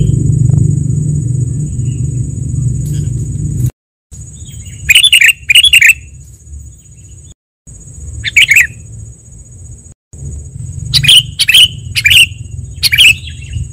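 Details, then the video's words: Sooty-headed bulbul lure recording for trapping and training: after a stretch of low rumbling noise, paired and grouped bright chirps with falling slurs come at intervals, with brief dropouts in the sound and a steady high whine throughout. "SUARA PIKAT KUTILANG"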